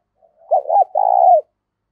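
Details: Spotted dove with a strong, clean 'giọng thổ' voice. A faint soft lead-in precedes a wobbling double coo and then a long, even, buzzy-edged coo. The background is quiet.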